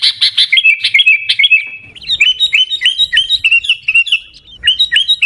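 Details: Kutilang, the sooty-headed bulbul, delivering its 'Gaya Garuda' song style in Pidie, Aceh, Indonesia: a quick series of sharp chirps followed by a steady run of bright, slightly rising whistled notes, each about a fifth of a second apart.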